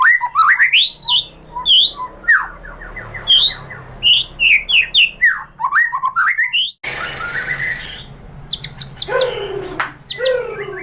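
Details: White-rumped shama song as a lure, loud swooping whistles and quick trills, then a harsh buzzy passage mixed with sharp high notes and noisy background.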